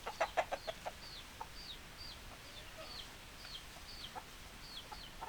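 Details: Chickens open with a quick burst of five or six loud, sharp clucks. Spaced, high, falling peeps follow at a little under one per second.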